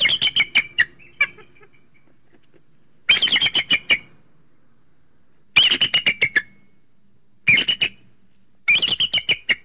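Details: Eagle calling in repeated bouts: rapid strings of high, shrill chittering notes, each run of several yelps separated by short pauses, five bouts in all.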